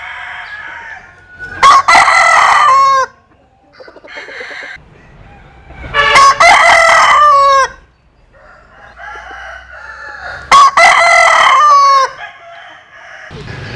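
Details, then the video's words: Rooster crowing from a Vietnamese and American Sil chicken collection: three loud, raspy crows roughly four seconds apart, each ending in a drawn-out downward wail, with soft clucking between. "Tổng Hợp Tiếng Gà Gáy/ Synthesize Cock Crows"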